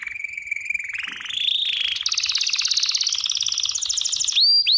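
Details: Belgian canary song for training: a steady low trill rising into dense high rolling trills, closing with two sharp upward whistles.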